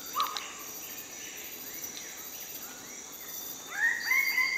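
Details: Whistled calls of a magnificent riflebird at display: a short note at the start, then a loud rising whistle held at a higher pitch near the end, set against continuous insect trilling and other faint bird calls.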